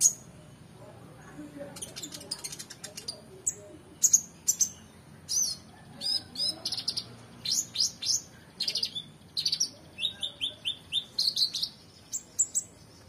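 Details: Oriental magpie-robin in long, energetic song used to tutor competition songbirds: a steady stream of crisp high chips, trills and downslurred whistles in tight groups, with almost continuous delivery throughout.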